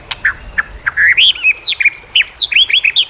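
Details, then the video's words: Lively white-rumped shama song used as a training recording for captive shamas. Rich, varied whistled phrases in quick succession, some swooping high, some dropping low, with short pauses between bursts. "masteran burung murai"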